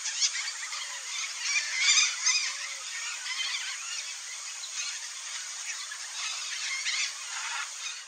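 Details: A flock of Red-bellied macaws (Orthopsittaca manilatus) calls in a dense, overlapping chatter of harsh, high screeches and squawks that runs throughout without pause.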